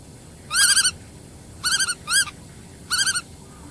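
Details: Black-tailed godwit giving quick stuttering bursts of nasal, wavering notes, three to five notes per burst, four bursts in under four seconds against quiet background.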